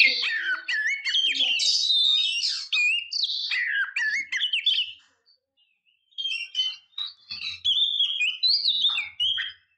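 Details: Female oriental magpie-robin calling to provoke a male into singing. Dense, high, varied whistles and chirps run almost continuously, then a brief silence, then another burst of quick whistled notes with a faint low hum beneath.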